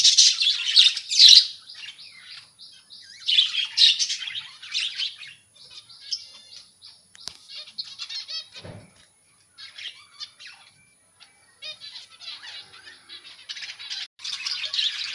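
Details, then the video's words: Budgerigars kept in a colony rather than cages give bursts of high, scratchy chirping and warbling, loud for about a second at a time and then quieter, with gaps between the bursts. "Budgies Parrots colony"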